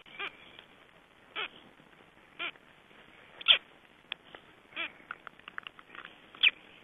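Black stork chicks near hatching give soft, short nasal peeps, roughly one a second and irregular, over a faint background hiss.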